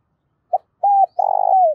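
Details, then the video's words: Spotted dove giving its calling coo (gáy gọi): a short clipped note, a flat held coo, then a rolled, quavering coo that slides downward at the end, all low and mellow. "cu gáy thúc và gáy gọi/ cu gay kich boi nhanh noi gù"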